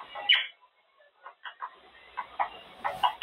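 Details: Pet Monk Parakeet, a male Quaker parrot, caged and practicing words during cage time; short scattered mid-pitched vocal bursts with gaps, soft and syllable-like, quiet background.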